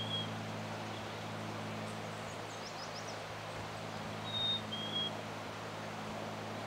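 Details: Male Black-capped chickadee singing on South Mesa Trail, Eldorado Springs, Colorado, on 9 May 2020 during a birding walk; a clear two-note whistled fee-bee, high note then slightly lower, with a trailing note at the start and faint chips of other birds above.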